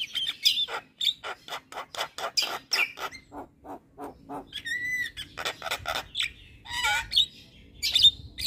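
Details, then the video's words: Javan myna chattering all day: a long series of sharp dry clicks and harsh notes, broken by a few whistled rising and falling tones and squeaky chirps. "Masteran Juara Burung Jalak Kebo Gacor Tak Henti Henti Ngoceh Seharian"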